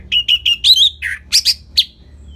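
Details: Orange-headed thrush singing for use as a training lure: a quick series of rich repeated whistled notes, then a lower slurred note and bright high twittering bursts ending in a single sharp note.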